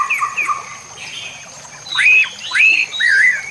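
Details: White-rumped shama training and lure recording with nature sounds and trickling water: rich, loud whistled phrases, some swooping up and down, others warbled, given in quick succession with a faint steady hiss behind.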